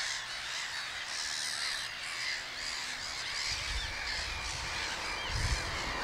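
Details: Black-headed gull breeding colony on Texel, Netherlands, in 2017, with large chicks present. Many harsh, rasping calls overlap into a dense continuous chorus, with low rumbling wind or handling noise toward the end.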